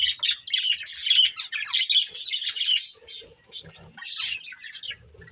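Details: A budgerigar breeding pair chattering in rapid, high, scratchy warbles and chirps that rise and fall in loudness, fading toward the close.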